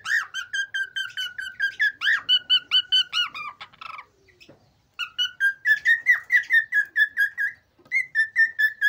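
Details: Male cockatiel in excited song, meant to spur pairs toward mating. Fast strings of whistled notes rise and dip in rhythmic runs, broken by a brief raspy pause before the bright repeated whistling resumes.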